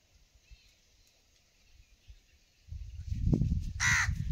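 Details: Crow cawing near a village seen from a hillside: after low rustling and handling noise, a single loud, harsh caw near the end.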